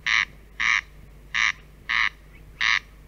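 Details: Corncrake from Central Russia giving five dry, rasping notes in quick succession, each a harsh buzzy crake about every two-thirds of a second, over faint background hiss.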